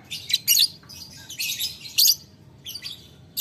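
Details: Lovebird calling a rival with ngetik ngekek chatter: short, shrill, grating bursts about every half second, spaced irregularly.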